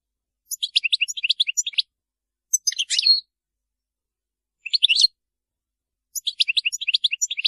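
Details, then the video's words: Maliki-style European goldfinch song, said to be error-free: four bursts of rapid, high, tinkling twitter notes, some phrases long and bouncing, others brief and buzzy, with clear pauses between them and no other sounds. "تغريد الحسون المالكي خالي من أخطاء"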